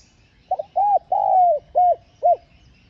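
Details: A single spotted dove cooing phrase used to excite wild birds: a brief stuttered start, an arched coo, a long drawn-out falling note, then two short rounded coos.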